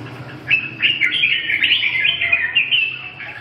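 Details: Red-whiskered bulbul delivering a rapid, continuous warble of bright chirping notes, fluid and slightly rising, over a faint low hum.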